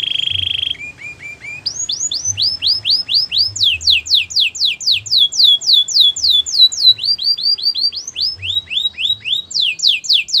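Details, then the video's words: Singing Gloster canary: an opening flat trill, a few soft low notes, then long runs of crisp descending whistles at changing pitches, about four each second. "Gloster canary singing"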